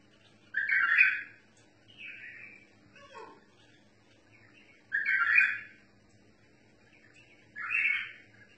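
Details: Bulbul singing in the 'tor mutawai' song style: loud, rich warbled phrases about a second long, repeated roughly every four seconds, with softer chattering notes and a brief descending slur between them over a faint low hum.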